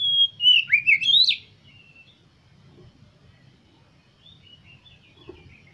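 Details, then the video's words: Oriental magpie-robin, played to stir kept birds into singing and opening their tails: one short burst of varied whistled notes with rising and falling slurs, then fading into quiet with only faint distant chirps. "100% KACER KALIAN MAKIN NAPSU UNTUK BERKICAU DAN CEPAT GACOR BUKA EKOR"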